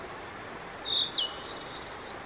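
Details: Blue-and-white flycatcher male singing on 5 May 2022 for roughly fifteen minutes near bird photographers: a thin high whistle, a strong level sweet note, then a quick downward flick, against soft steady hiss and distant high chirps.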